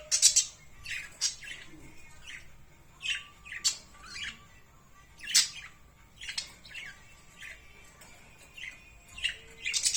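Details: Several birds chirp in a steady stream of sharp high squeaks and twitters, bursts every second or so over ten seconds, with a faint low hum behind.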